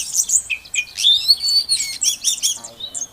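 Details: Oriental magpie-robin female calling to get a silent male singing; a short stream of high chirps, scratchy notes and one long drawn whistle, with faint low background noise.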